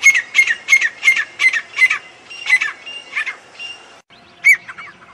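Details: Grey francolin giving quick, shrill clipped notes, about six in a fast regular run, then softer spaced calls and a lone final squawk after a brief silence.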